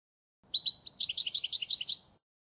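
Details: European goldfinch singing a model song for tutoring young birds, 2016: a short, high phrase opening with a few separate chirps, then a quick run of liquid, rolling twittered notes lasting about a second and a half.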